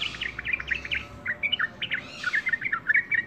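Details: Quick, bubbly chirping from a yellow-vented bulbul, a tight chain of bright slurred notes that briefly pauses and then resumes with sharper, higher chirps.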